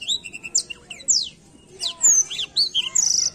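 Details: Black-throat song made of short chirps, steep downward whistled sweeps and a long clear high whistle, delivered in rapid bursts with short gaps, over quiet background noise.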